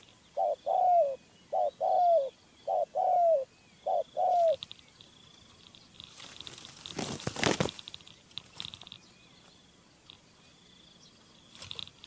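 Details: Spotted Dove decoy, kept captive for trapping a wild male, coos five times in steady succession, mellow two-part hoots about a second apart, then rustling and handling noise follow.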